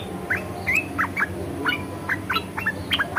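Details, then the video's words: ["Red-eyed bulbul song in the 'ngeriwik' and 'ngebren' styles, here slower and spaced: separate bright chirps and short slurred notes at irregular intervals, with a low background hum."] "SUARA KICAUWAN BURUNG MERBAH MATA MERAH NGERIWIK DAN NGEBREN"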